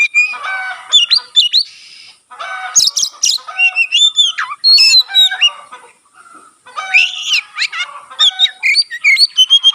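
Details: Oriental magpie-robin in vigorous song with its tail fanned, a song said to spur other magpie-robins to sing; clear whistled notes, looping slurs and scratchy buzzes in bursts, with a short quiet gap midway.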